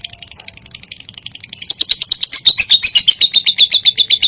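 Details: Lovebird song meant to spur other lovebirds into singing: soft chirps at first, then a loud, fast string of sharp high chips repeated about four times a second, steady and insistent.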